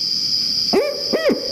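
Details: Barred owl giving its common "Who Cooks for You?" call, played back. Two deep hooted notes, the second with a rising-then-falling shape, over a steady high electronic tone.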